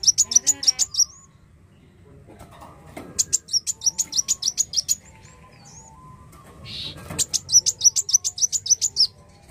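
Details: Black sunbird singing three long runs of fast, bright, high chips, with a curling whistled note and some faint rustling in the pauses between runs.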